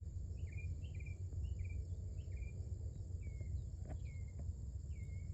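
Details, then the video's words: Mockingbird, a female, singing early in the morning: a short slurred phrase repeated about seven times in five seconds, then a slightly different downslurred version, over a steady low rumble and faint high hiss. "A VERY Happy 😊 Mocking Bird Indeed."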